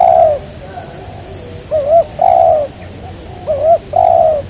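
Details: Spotted dove calling while birds are being lured and trapped; loud hoarse coo, then a short wobbly note and a longer drawn-out coo, repeated twice, with faint high twittering from small birds in the background.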